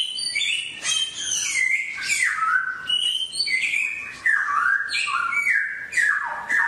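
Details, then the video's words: Forest-quality songbird song played daily as training for caged birds: loud phrases of high notes sliding steeply downward into lower whistles, repeated roughly every second in a lively, unbroken stream. "TỰ NHIÊN CHIM HÓT GIÀ RỪNG"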